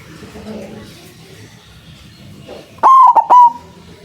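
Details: A white zebra dove with a powerful voice, used as a trapping lure: after nearly three seconds of quiet background murmur, three loud, slightly wavering tonal coos follow in quick succession.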